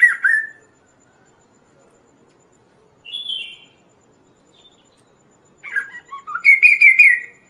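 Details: Kaso-kaso bird singing energetically, its voice used to tutor and lure other birds: a short slurred note, a lone high whistle, then a lively run of rising and sharp repeated whistled notes.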